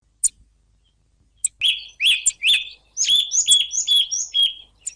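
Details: Song thrush song: after scattered sharp clicks, a run of loud, varied whistled and buzzy phrases fills the second half, notes repeated in quick succession with short gaps, no other sounds.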